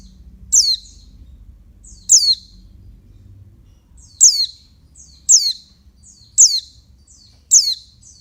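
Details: Female oriental white-eye calling to stimulate males: six thin, high, sharply descending notes, each with a faint fainter pickup note before it, repeated roughly every one to one and a half seconds over a low background hum.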